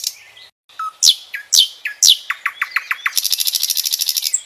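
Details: Common nightingale singing: varied loud whistles and sharp downward notes, then a rapid accelerating series of clicks ending in a fast buzzy trill, with no other sounds.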